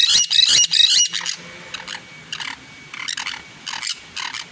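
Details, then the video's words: Green parakeets screeching: a loud opening burst of harsh squawks, then a low, droning tone underneath while shorter clusters of raspy, shrill calls break out every second or so at lower volume. "PERICOS VERDES CANTANDO A TODO PULMON"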